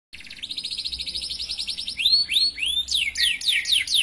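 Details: Canary singing long and actively in the 'cengkok mewah' style: a fast, even high trill of repeated notes for two seconds, then loud, sweeping whistled slurs rising and falling, several per second.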